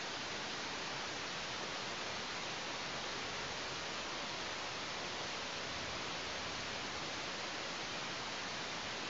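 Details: Only constant broadband hiss is heard throughout, with no animal voice.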